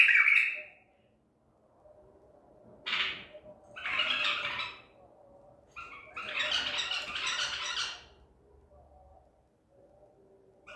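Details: White-eared bulbul caught at Medical City, singing on 14 April 2021 in the Baghdadi style: scratchy, squawking phrases of varying length, one long raspy burst of nearly two seconds, with quiet gaps between.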